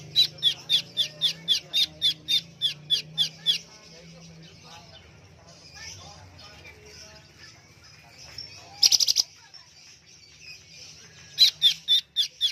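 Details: Greater green leafbird kept in a covered cage, bursts of rapid repeated high chirps, a pause with faint rustling, a loud scratchy note, then another chirping run; low hum throughout.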